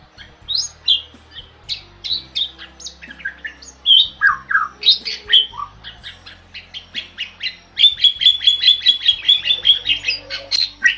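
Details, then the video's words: Bali myna, a rare protected starling of Bali, singing for a tutor recording: scattered squeaks and slurred whistles, then a rapid, steady train of short bright repeated notes in the last few seconds. "MERDU KICAU JALAK BALI"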